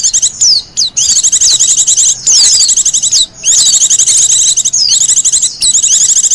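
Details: Wild Japanese white-eye's high, hurried song, used as lure and master song: long runs of fast chattering, trilled notes mixed with downslurred whistles, with only brief pauses.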